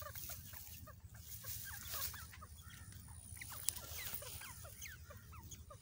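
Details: Grey francolin (desi teetar) preparing a place to lay eggs, giving dense, quick, short downslurred chirping notes, soft and overlapping, over a steady low rumble of background noise.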